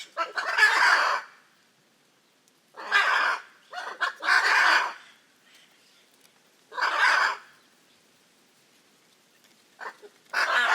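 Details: Hyacinth macaws calling harshly, with loud rasping squawks at uneven intervals, some in quick pairs, separated by silent pauses across about eleven seconds.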